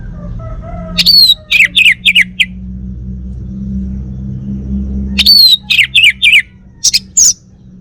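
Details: Home-kept male Bali orange-headed thrush delivers two separated song phrases, each a sharp high whistle launching into four or five rapid slurred, scratchy notes, with a pause of several seconds between and a steady low hum throughout.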